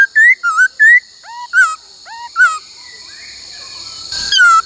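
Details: Laughingthrush singing during song training in the 'bắt cô trói cột' style: several clear whistles, rising then dipping, a few softer hooked notes, a quiet pause, and one final downslurred whistle.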